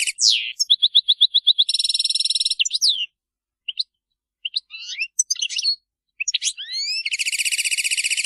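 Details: Group twittering (betbeta) of European goldfinches, used to rouse silent goldfinches into song: rapid repeated high notes, buzzy harmonic trills, and liquid rising twitters with short pauses, ending in a long rasping buzz.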